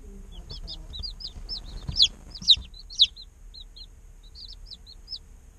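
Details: Baby chickens, a day old, give scattered thin, high peeps. Three louder, sharper chirps ring out near the middle, then softer peeps trail off.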